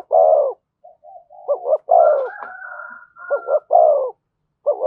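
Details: Spotted dove in thổ-style voice giving thúc and kèm coos: strong, full coos alternating with paired short notes, while a steady, higher tone briefly overlaps the middle.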